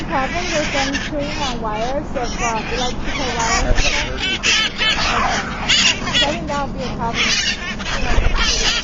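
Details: A colony of Himalayan (hill) parrots chattering together in a morning, a dense overlapping mix of harsh squawks and quick rising-and-falling calls with no pauses.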